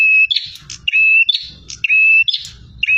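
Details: Full, aggressive song of a bar-winged prinia: a level whistled tone and a burst of rasping notes, about three phrases in three seconds, with faint low rumbling in the background.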